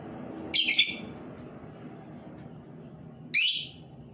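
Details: Labet bird kept as a lure to draw other labet birds into singing: two short, very high, dense chattering bursts about three seconds apart, over a quiet low hum.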